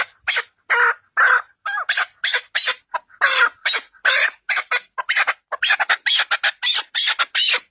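A partridge gives a fast, harsh run of rasping chuck notes, about three a second, speeding into an excited chatter toward the end.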